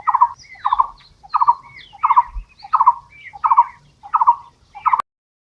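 A barbet gives a steady series of hollow, throaty notes, about seven in five seconds, each with a brief rolling burst, ending abruptly.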